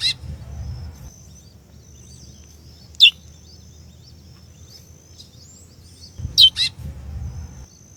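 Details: A female chestnut-bellied seed finch calls to excite a male, giving brief high, downward-sweeping chirps at irregular intervals, with a double note near the end over a soft low rumble.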